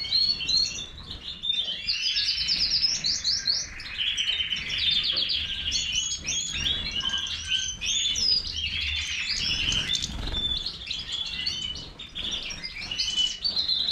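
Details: Major goldfinch in long, sustained song: tumbling high twitters, tinkling trills and scratchy buzzes run together for many seconds, with a short dip in loudness near the end.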